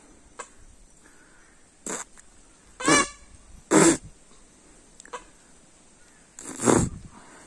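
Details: Peacock calling: loud, harsh, nasal blasts with strong overtones, three main cries spaced about one to three seconds apart, plus shorter fainter yelps. A steady high electronic whine runs throughout.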